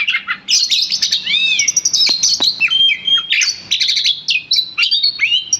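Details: Caged oriental magpie-robin of a fighter type, reacting agitated when called by name: dense, loud run of varied whistles, sharp chirps and buzzy rasps, with rapid slurred notes and brief harsh bursts, continuous throughout.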